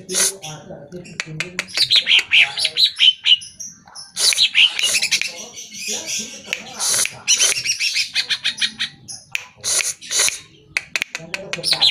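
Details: Greater green leafbird (cucak ijo) song used as a lure to make caged birds answer and sing: a dense, fast jumble of high chirps, whistled slurs and harsh broadband bursts, with short gaps between phrases.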